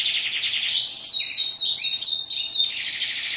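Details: Continuous high, tinkling song of a European goldfinch, fast jumbled twitters and slurred chirps packed closely together over a faint steady background hum.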